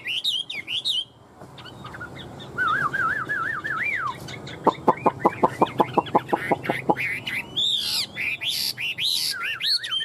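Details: Tame fan-tailed Chinese hwamei singing while flicking its tail like a laughingthrush, caged; wavering whistled trill, a burst of about a dozen rapid sharp clicking notes, then rich looping high whistles.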